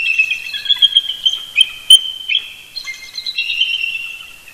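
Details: Eagle pair duetting at first light on a Sunday, November 18, 2018, at Big Bear Lake, California, roosting near the nest: high, thin chattering chortles in a run of quick piping notes, with harmonics stacked above.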